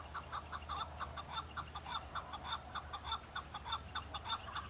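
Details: Male chukar partridge singing in fighting season, answering rival males to show strength and attract females; rapid repeated chuk notes, about 100 per minute, steady rhythmic clucking with a low hum beneath.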